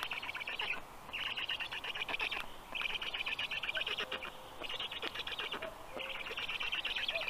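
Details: Young black storks kept at a university in Tartu, Estonia, during a morning feed on 16 June 2022; long rasping trains of rapid pulsed notes in bursts of about a second and a half, split by short gaps.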